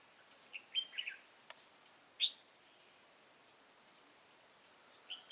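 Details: Red-whiskered bulbul used as a decoy during trapping on 5 October 2018: short bright chirpy phrases in a quick cluster, then an isolated sharp note and a faint phrase at the end, over a steady high whine and soft background hiss.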